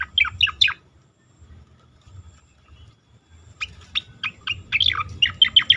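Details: Asian pied starling singing in a recording meant for training competition birds: a quick burst of steep down-slurred whistles, a near-silent pause, then a denser run of sharp falling notes and chips.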